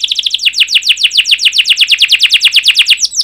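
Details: Domestic canary singing to encourage other canaries: a fast, steady series of loud, sharply descending chirps repeated about seven per second.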